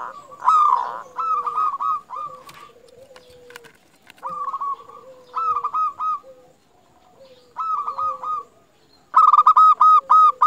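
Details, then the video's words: Local zebra dove in full song, used as a lure to get other zebra doves singing; bursts of rapid stuttering cooing notes in phrases every couple of seconds, with a lower steady hum-like tone between, short pauses around them. "Perkutut Lokal Gacor Paling Ampuh Untuk Pancingan Burung Perkutut Agar Bunyi"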